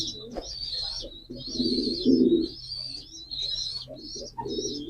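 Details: Low throaty pigeon cooing that rises to a stronger purr midway, over steady high twittering from other small birds.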